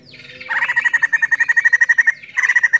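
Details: A female White-crested laughingthrush, very chatty, gives a fast run of about twenty sharp, repeated chirps at a steady mid-high pitch, pausing briefly before resuming.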